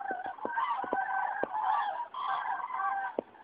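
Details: Common cranes passing overhead in a flock at Rochechouart, France, on 15 February 2013, one of many passages heralding spring; overlapping loud trumpeting, rolling calls from several birds, with a few sharp clicks.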